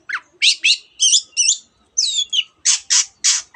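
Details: Long-tailed shrike (cendet) in lively form, singing a dense mimicked medley said to include canary and many other birds: quick squawky and whistled notes, a sliding whistle midway, then three broad rasping bursts in close succession.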